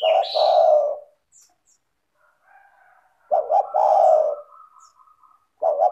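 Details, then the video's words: Tekukur (spotted dove) calling to draw other doves into song: deep full coos repeated after a pause. Each phrase opens with short stuttered notes, and a thin higher whistled note from another bird sounds between phrases. "LANGSUNG IKUT BUNYI dengan PANCINGAN suara tekukur gacor rapat merdu dan jernih"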